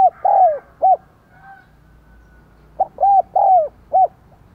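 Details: Decoy spotted dove with a 'đồng còi' voice, cooing and calling to draw wild doves: two four-note phrases of soft, arched, hollow coos, the third note longest and sliding down, separated by a quiet gap.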